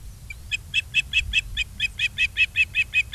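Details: Ospreys at a nest in Charlo, Montana, filmed by a live nature cam on 22 August 2023 in the afternoon. A steady string of about fifteen short, clear chirped whistles comes roughly every fifth of a second over a low background hum.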